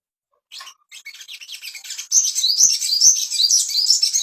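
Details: Song of an ashy tailorbird used as a master track to prompt breeding condition: a string of dry chattering notes accelerates into a loud, continuous, high-pitched warble of quick rising whistles.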